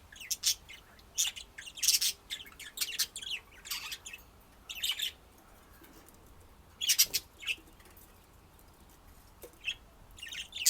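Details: Pet budgerigars calling: loud scratchy chirp bursts every second or so, interspersed with softer warbled notes, strongest bursts near seven seconds.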